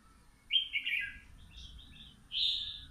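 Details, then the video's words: Caged young red-whiskered bulbul, kept two months, singing during morning sun: a rich slurred whistled phrase, a few soft linked notes, then a long steady bright whistle; faint low background noise. "Chào mào hót hay"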